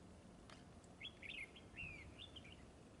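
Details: Red-whiskered bulbul during trapping, described as fighting with a fanned display: short, bright, warbled whistled phrases, rising then falling, in two bursts about a second apart, over low steady background noise.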